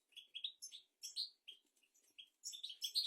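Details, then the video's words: European goldfinch singing, for tutoring goldfinches and canaries: quieter, separate chirps and twittered notes spaced irregularly, building into denser, higher twitters at the end. "تغريد طائر الحسون ملكي 👑♥️ لتعليم طيور الحسون والكناري بدون أخطاء"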